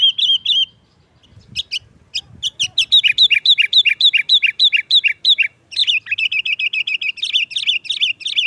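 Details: Sooty-headed bulbul singing a lively, sharp 'nggaruda'-style song used as a trapping lure: a few chirps, then a dense run of quick, bright, bubbly notes about four a second, ending in rapid rolling chatter.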